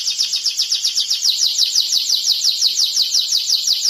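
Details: Singing canary delivers a bright, high rolling trill, its notes repeated roughly twice a second with a slightly uneven rhythm and no other sounds.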